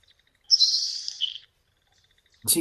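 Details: Nelson's Sparrow in a prairie marsh gives its quiet, super-breathy "bacon sizzle" call, which carries under about 50 m: one hissing sizzle lasting about a second, high-pitched and fading at the end; a voice cuts in briefly afterward.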